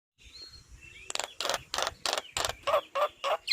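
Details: Javan myna in lively chattering song, used as a master recording to train other birds: after a quiet start, a run of harsh, buzzy, broadband notes repeats about three to four times per second.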